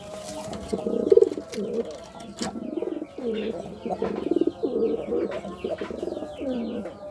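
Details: Courting pigeon delivering a run of repeated low rolling coos, roughly one every second across seven seconds, with scattered sharp chirps from small birds and a constant background hum indoors.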